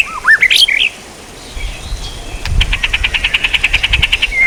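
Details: Rising whistled flourishes from a white-rumped shama, used as songbird training material, then a pause and a rapid, even series of short high notes over low background rumble.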